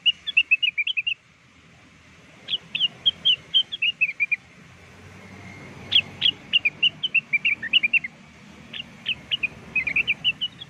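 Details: Blue-winged leafbird song played as a lure, repeated phrases of fast varied whistles and chirps, about three notes per second, in several bursts over ten seconds with quiet gaps between.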